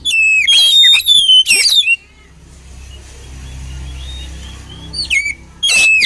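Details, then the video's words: Oriental magpie-robin song used for training birds: two loud whistled phrases with sweeping notes, a quiet stretch with faint high notes, then more whistled phrases at the end. "SUARA KACER KOMBINASI AMPUH UNTUK MELATIH MENTAL KACER"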